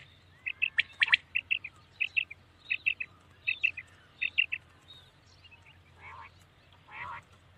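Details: Common quail at night giving crisp, high, three-note phrases repeated in a steady series about every half second, then fading into two softer, buzzier rasping notes near the end.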